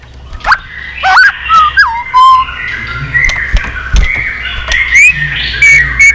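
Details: Mature wild-caught white-rumped shama singing with many voices during contest training: clear sweeping whistles that rise and fall, interspersed with squawky bursts and soft background warbles.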